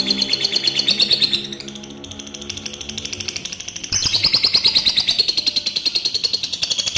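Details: Adult lovebird giving a long ngekek trill, used as a lure to set other lovebirds singing; rapid, high chattering trill pulsing about three times a second, breaking off briefly and then resuming just as fast.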